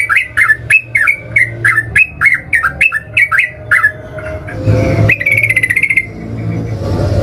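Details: Sooty-headed bulbul calling aggressively to make other birds respond: a series of short bubbly two-part notes repeated about every third of a second, followed by a rapid rattling trill amid bursts of noise.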